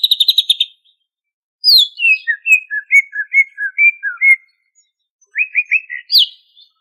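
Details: Greater green leafbird from Banyuwangi singing actively in ngentrok style, full of varied phrases: a quick burst of high repeated notes, then a string of descending whistled slurs, a pause, and a fast trilled run ending in a rising sweep.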